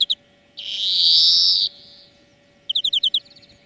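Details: A European greenfinch in a bird-training song lesson gives a long buzzing wheeze, then after a pause a quick rippling trill of bright notes, over a constant faint hum.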